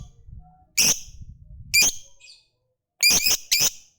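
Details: Loud, sharp lovebird chirps, two single notes and then a quick doubled pair, high and piercing, with faint rustling low noise early on.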